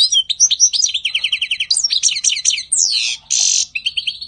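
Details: European goldfinch singing in spring 2020: a fast, bright, twittering stream of liquid trills and buzzy notes, sliding whistles and a harsh rattling burst, loud and continuous over a quiet background.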